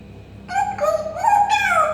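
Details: Pet parrot indoors imitating a cat, giving drawn-out, meow-like harmonic cries that rise and fall, in three linked phrases over about one and a half seconds, with a steady low hum in the room.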